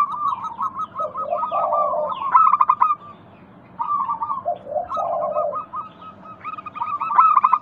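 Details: Zebra doves calling, used to stimulate quiet doves to sing. Paired low rolling coos come twice, separated by a brief lull, amid fast high chirping that swells into loud bursts.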